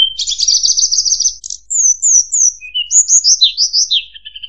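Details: Sunda robin as tutor material for competition White-rumped Shamas: a long rapid warbling trill held high, then varied sharp whistled slurs, some rising and some falling, ending in lower even notes. Clean recording, no background.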